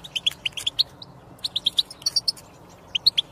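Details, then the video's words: European goldfinch song used to prompt silent goldfinches into singing: bursts of clear, high chirped notes in quick runs, a short pause near the middle, then a few scattered twittering notes. "بتبتة للحسون الصامت يتكلم مجربة ومضمونة"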